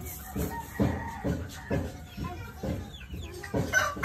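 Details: Chicken heard in the morning with low, rounded clucks repeated roughly twice a second at a steady pace. A faint higher chirp is audible near the end over a constant background hum.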